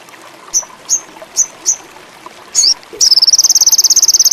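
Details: Ruby-cheeked sunbird (sogon indigo) lure song for birds with a high mating urge: a spaced series of four high chirps, a buzzy note, then a fast, continuous high-pitched trill.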